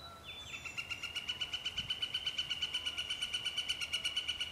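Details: A Northern flicker at Vernon Marsh gives a long, steady run of loud, even wick-wick-wick notes, about seven a second at a level pitch, over faint background hiss.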